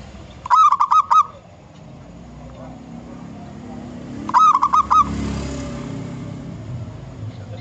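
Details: Local zebra dove from the wild, recorded as lure song, two bursts of fast pulsing clear notes roughly four seconds apart over a low rumbling background.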